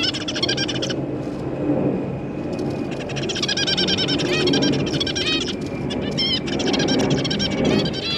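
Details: Zebra finch family, a parent pair with three juveniles, recorded 5 August 2022; bursts of short, nasal, honking calls and quick chattering notes in clusters, over a steady low hum of background noise.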